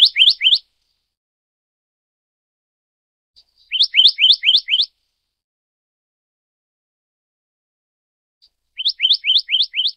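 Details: Black-naped monarch, Taiwan endemic subspecies Hypothymis azurea oberholseri, giving three runs of five or six quick, upslurred piercing whistles, each burst separated by roughly three seconds of silence.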